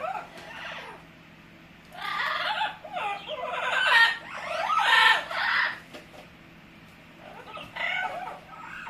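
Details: Pet Amazon parrot making a string of funny noises: harsh, raspy squawks and broad grating calls in bursts, with short gaps and a steady low hum in the background.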